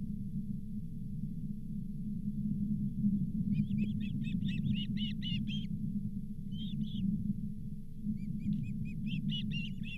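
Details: Osprey at the Charlo nest on 31 July 2023, as the fifth fish of the day, a lake whitefish, is delivered. Several runs of quick, high, slightly slurred chirps, separated by pauses, with a heavy low rumble throughout.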